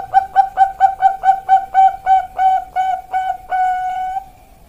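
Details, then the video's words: Bangkok-line young zebra dove singing as a lure: a fast string of ringing coos that slows and stretches, the last notes drawn out longer before fading, sung cleanly with no other noise. "Pancingan Perkutut Bangkok Piyik Kualitas Super"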